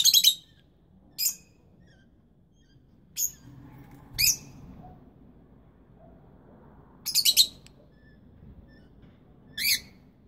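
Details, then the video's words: Rosy-faced lovebirds, juveniles and brooding parents, give scattered piercing chirps, about six over ten seconds, one a rapid triple, above a low steady hum. "Canto pappagalli inseparabili giovani e cova dei genitori"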